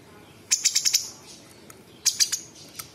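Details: High, ringing chatter from a sooty-headed bulbul in tembakan song with copied sounds of other birds and insects: two quick series of five shrill pulsed notes separated by a pause, plus a lone trailing chip.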